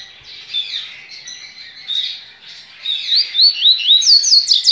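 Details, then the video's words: Double-collared seedeater in a licensed captive breeding facility, 23 November 2019, Baiano song style: soft scattered whistles, then an accelerating string of clear, high upswept and downslurred notes ending loud and rapid. "COLEIRO BAIANO"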